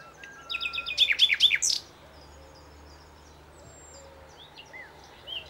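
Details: A short burst of Common Nightingale song on the Spanish plateaus between Aragon and Extremadura: a quick stuttering phrase of repeated high notes lasting about a second, then near quiet with distant faint birdsong and soft low whistles.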